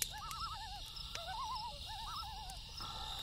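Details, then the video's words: Loon calling at night, a run of quavering, wavering tremolo phrases that rise and fall in quick overlapping bursts, over a steady chorus of crickets and the soft crackle of a campfire. "Loon Call"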